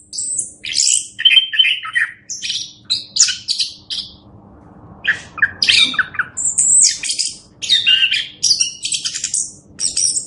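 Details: Master song of an orange-headed thrush for tutoring other birds, made of harsh, high, squeaky phrases and rapid chattering bursts separated by short pauses.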